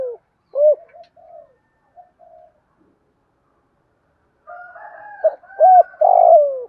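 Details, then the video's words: Decoy spotted dove with a 'giọng thổ' style voice, calling to lure wild doves. Mid-pitched arched coo notes early, a quiet gap, then a louder run of coos overlaid by a higher, hoarse secondary sound near the end. "cu gay giong tho cuc dinh, chuẩn gáy gọi kích bổi nhanh gáy nổi nhanh"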